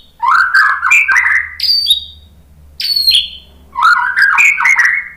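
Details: White-rumped shama song played to trigger singing in other shamas. Loud warbled phrases of mixed rising and falling whistles, high thin downslurred notes in between, and a second burst of rich melodic warbling.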